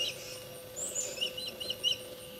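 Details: Osprey at its nest during dinner time: faint, quick high-pitched chirps in an uneven series, with a constant low hum underneath.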